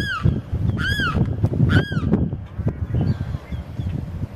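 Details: A male limpkin cries out to attract a mate, giving three loud, harmonic, arching wails in under two seconds before the cries stop and only a low rumbling background with soft clicks remains.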